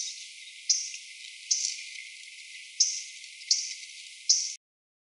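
MacGillivray's warbler giving five sharp, high, dry chip notes at uneven intervals of about a second, over a faint steady hiss.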